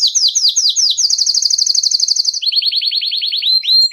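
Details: Belgian canary song to warm up canaries and train young birds; falling whistled notes give way to a rapid even trill, then a series of lower rising whistles.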